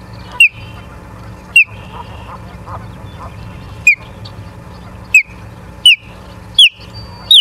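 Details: At a Charlo, Montana osprey nest, evening of 09/03/2023 at 18:54: seven single, short piercing chirps at irregular intervals of one to two seconds, with faint background hum between them.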